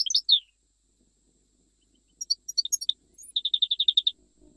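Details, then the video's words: European goldfinch singing bright, tinkling twitters of high, quick notes, ending in a fast run of about ten repeated chips; no other sounds. "تغريد مقنين"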